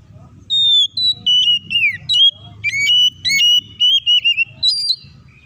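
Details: Oriental magpie-robin, an energetic, fighting-mood singer used to provoke other birds into singing: loud, clear whistled notes, some level and some sliding downward, delivered in short bursts separated by brief pauses over a quiet, faint background.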